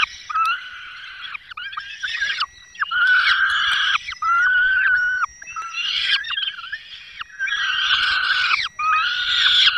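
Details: At a peregrine falcon nest in the Barycz Valley, Poland, 5 May 2022, during a prey delivery and chick feeding; repeated harsh, grating wails in uneven bursts, some notes with a slight rising then falling pitch.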